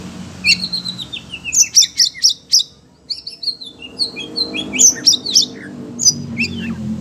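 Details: Kept Oriental magpie-robin, worked up by the voices of other birds, delivers loud piercing chip notes in rapid runs of four or five, mixed with slurred downward whistles and a short quiet gap.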